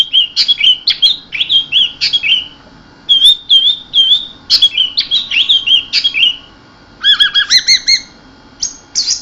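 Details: Orange-headed thrush pouring out repeated slurred whistles that rise and drop, followed by a harsher, squawky run of stacked notes and a final thin whistle, delivered in the energetic 'keserr' style.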